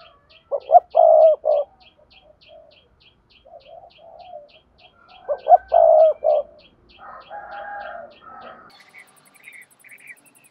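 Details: Lure calling of a spotted dove meant to get other doves to coo: two loud low phrases of several notes about five seconds apart, softer cooing between, then a rough buzz and a thin high whine near the end, with ticking throughout.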